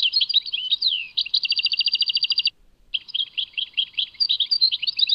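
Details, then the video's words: Singing European goldfinch, Tadmait song type; twittered notes and a falling slur lead into a fast even trill, a short pause, then continued high jumbled chirps and warbles; nothing else audible. "Chant chardonneret Tadmait"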